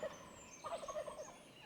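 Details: A Merriam's wild turkey in the Black Hills of South Dakota, during a spring turkey hunt, gobbles: a rapid, rattling burst of gulping notes lasting about a second after a single short yelp, over faint background hiss.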